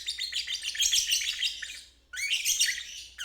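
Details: A lovebird's ngeriwik, used as a training recording for young birds and birds that have stopped singing; a two-second stream of high, scratchy chirps, a short pause, then another sharp trill burst.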